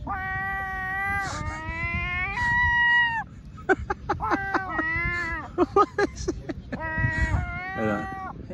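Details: Several seagulls, offered a doughnut, give weird cat-style mewing: a run of long, nasal, level wails overlapping each other, then quicker clipped cries in the middle before more drawn-out mews, over low background rumble.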